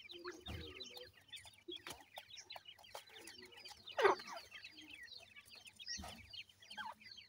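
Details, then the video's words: Grey francolin chicks at play: a dense, continuous chorus of high, thin, downslurred peeps, interrupted by a few thuds and one louder, harsher squeal. "pheasant bird check ki call"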